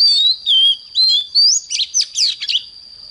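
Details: Oriental magpie-robin in morning song, for training fiery singing: several sweet whistled phrases, slurring down then up, followed by sharp rising-and-falling warbles at a fast uneven pace, over a steady high hum.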